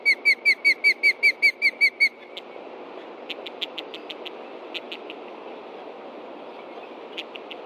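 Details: Osprey parents at a Montana nest on 30 June 2013, mid-morning, alarmed by danger below while young stay put: roughly ten sharp piping whistles in two seconds, followed by scattered soft high ticks.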